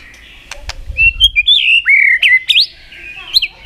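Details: White-rumped shama, agitated and contest-singing a varied forest-style song: clear sustained whistles wavering up and down, broken by short upward flicks and a few sharp clicks.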